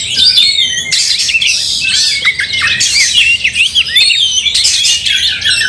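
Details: Angry, fighting Oriental magpie-robin with its tail spread, provoking a rival magpie-robin; a continuous torrent of high, rapid chattering notes, squeaks and downslurred whistles, broken by brief pauses.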